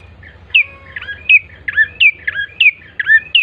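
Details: Bar-winged prinia song as a lure for birds to sing quickly, clear high chirps each sliding down and curling back up, repeated about eight times at a brisk uneven pace over faint low hum.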